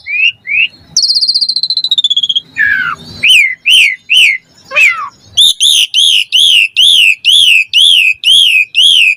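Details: Asian pied starling singing hard while puffing up, meant to provoke quiet starlings into song; a long trilled whistle and a descending slur lead into a steady series of ringing, rapidly repeated notes, roughly two per second.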